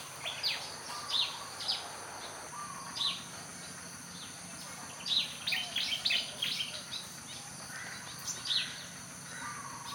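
A Malaysian pied fantail gives high, clear, squeaky notes in short bursts every second or so, over a steady hiss of insects.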